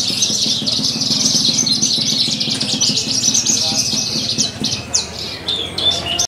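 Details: Horsfield's bush lark entered in a singing contest at an animal market in Purbalingga, Indonesia; busy high chattering song of quick chirps and trills amid a chorus of contest birds and low rumbling crowd sounds.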